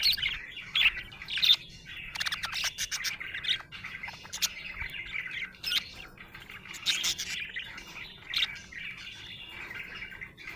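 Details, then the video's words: Happy budgie chattering in a long, steady stream of scratchy warbles and quick chirps, a few louder squawky notes near the start and middle, softer passages between. "Happy budgie chirping sound"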